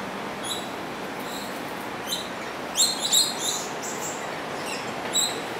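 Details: Coconut lorikeet in Singapore, where it is introduced and now breeding, giving short, shrill, high screechy notes, scattered then bunched into a quick burst, over a steady hiss of background noise.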